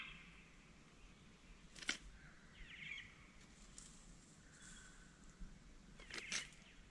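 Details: Male Satin bowerbird performing its courtship dance at Wombeyan Caves reserve, giving harsh, buzzy churrs and two sharp crackling bursts about four seconds apart, against a soft outdoor hiss and low rumble.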